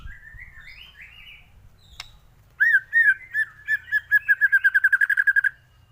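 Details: White-rumped shama in full song with varied filler phrases, played as a training master for other birds: soft warbling chatter with low rumbling background noise, a sharp click, then loud whistled notes speeding into a rapid, evenly repeated series.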